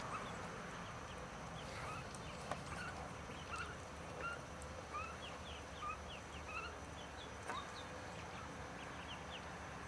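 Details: Ducklings call in quick, clear peeps, each a short high note sliding downward, coming in loose bursts across ten seconds above a soft steady hum, with a few faint knocks.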